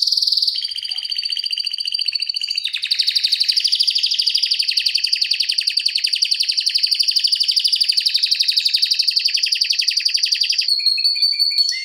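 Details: Canary song used as a tutor recording for other canaries: a long, dense, unbroken trill of rapid high buzzy notes held for about ten seconds, shifting pitch level partway through, ending with a few short descending chips.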